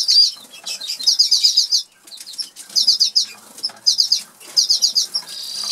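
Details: Norwich canaries, two birds in a cage in an aviary in England, singing while eating: bursts of rapid, high trilled notes in phrases about a second long, separated by short pauses, with faint clicks and pecking sounds between.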